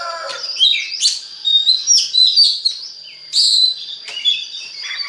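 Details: Oriental magpie-robin song used to make other magpie-robins sing: lively mix of slurred whistles, squeaky chirps and short trills in rapid succession, loud throughout.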